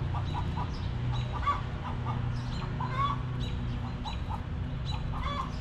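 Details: Backyard hens resting in their coop make soft, short clucks in loose groups, a couple of brighter notes standing out, over a constant low droning background.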